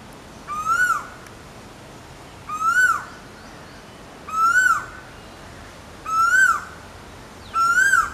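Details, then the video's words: Asian koel calling: five loud whistled notes, each rising then dipping at the end, given about every two seconds with clear, even spacing against a quiet background. "Asian koel call"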